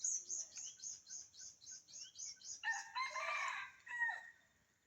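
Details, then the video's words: A rapid series of thin, high repeated notes from another bird leads into a loud, raspy red junglefowl crow lasting over a second. Recorded on a cold, dark winter morning where several wild junglefowl call back and forth. "সকালে বন মোরগীর ডাক কারকার খুব ভালো লাগে।"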